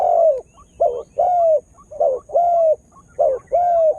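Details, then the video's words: Spotted dove kept as a decoy to draw in wild birds, beginning to call eagerly; strong mellow coos, alternating short clipped notes and longer smooth drawn-out ones, roughly one per half second, with clear silent gaps between. "Tekukur Dengan Daya Panggil Yg Unik Bikin Burung Liar jadi Emosi"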